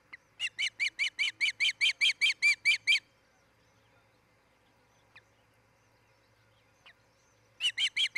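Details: Nest-camera recording of an osprey pair's nest at Charlo, Montana, dated 07-10-2018, early hours 03:29–04:29. A rapid string of about fifteen piercing, whistled yelps lasts three seconds, then a pause with two faint notes, then the series starts again.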